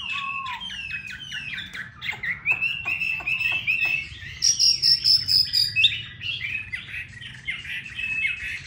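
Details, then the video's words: Chinese hwamei kept in a cage in Hà Nội, delivering varied song: a low slurred whistle, sharp clicking notes, then sustained warbled whistles and a fast repeated high trill; steady low hum beneath. "Mi đẹp vn9966. Giọng hay"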